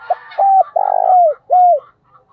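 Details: Spotted dove used as a decoy sings loudly: a clipped note, a level coo, a drawn-out purring croo falling at its tail, then a downslurred coo. Higher twittering from other birds runs underneath.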